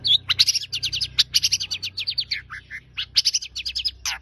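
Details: Long-tailed shrike in rapid, varied song: dense runs of high, chattering notes and short trills, with a few lower slurred notes, barely pausing, over a steady low hum.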